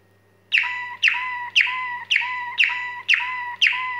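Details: Waterslager canary singing staaltonen (steel tones): a series of ringing, metallic notes, each starting with a sharp burst and then holding a steady tone, repeated about every half second. A faint low hum sits underneath.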